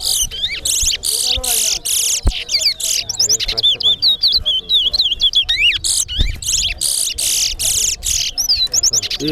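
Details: Competing towa towa birds in a singing race at Alligator Pond: fast, bright warbled phrases of slurred whistles and chirps, repeated in quick bursts with brief gaps, over faint low background noise and voices.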